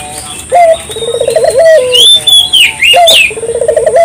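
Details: Local dove lure recording: rolling trilled coos with held endings, repeated twice, while another bird gives loud high whistled calls over the middle.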